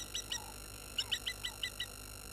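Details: Agitated water thick-knees beside Gowrie dam in South Africa's Sabi Sand Wildtuin, reacting to a baboon drawing near in the late afternoon: a brief burst of six or seven sharp, high piped notes with a faint lower slurred note before them.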